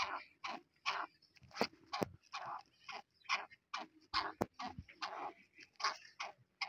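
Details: Black francolin calling in a steady run of harsh, grating notes, each a short broadband burst, about two per second, with brief gaps between them and no other clear sounds.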